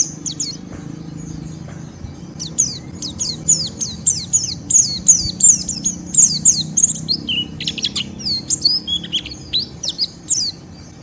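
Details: White-eye giving a rough ngeriwik song meant to provoke a rival into singing along: rapid, high, thin chirps and downslurred whistles tumbling densely in a continuous stream over a faint low background hum.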